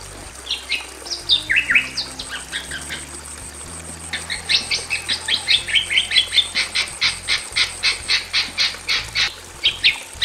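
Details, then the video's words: A pair of Bali mynas, male and female, in a simple aviary, in loud full song: scattered whistled slurs and squeaks build into a long, fast series of repeated harsh notes, with a faint constant high hiss. "SUARA BURUNG JALAK BALI JANTAN DAN BETINA GACOR"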